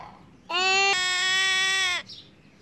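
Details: Pet mynah imitating a crying baby: one loud, drawn-out harmonic wail lasting about one and a half seconds, steady and nasal with a slight break near its start, in a quiet room.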